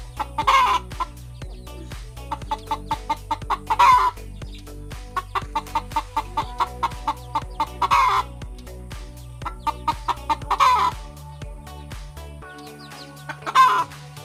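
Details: Village hen about to lay an egg repeats a long, strained cackle about every three to four seconds, each followed by rapid short clucks, with music playing throughout.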